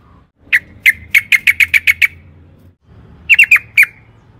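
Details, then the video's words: Sooty-headed bulbul used as a singing lure: a run of eight sharp, evenly spaced chirps, a pause, then a quicker cluster of four, over soft low hum. "pancingan trucukan gacor ROPEL PANJANG NARUNG AMPUH"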